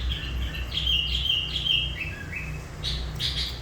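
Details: Sooty-headed bulbul used as a decoy for catching wild birds of its kind, singing vigorously. A quick phrase of bright whistled notes, some rising and some falling, gives way to a few scratchy bursts at the end.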